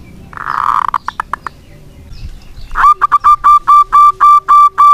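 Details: Local zebra dove cooing as a lure for doves that have gone quiet; a short muffled sound and a few faint notes, then a strong sequence of about nine loud, regularly repeated coos.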